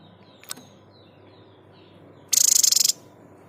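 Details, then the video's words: White-chested babbler giving a 'tembakan' shot call, recorded as tutoring material for cage songbirds: one brief click, then a fast dry rattle of about a dozen sharp pulses lasting half a second. "Tembakan terbaik burung sniper gacor"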